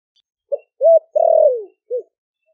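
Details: Spotted dove from Ninh Thuận, Vietnam, caged four months after capture, cooing deeply in 'thổ đặc' style to bring doves in; low mellow phrase of a short note, arched coo, extended descending coo and brief close.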